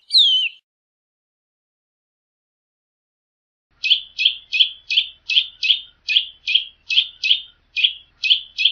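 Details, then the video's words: A single clear downslurred whistle opens, then after a pause a Eurasian nutcracker starts a long steady run of harsh, grating rasps, roughly three each second, continuing to the end. "SOUND OF A EURASIAN NUTCRACKER 🔊 What does a eurasian nutcracker sound"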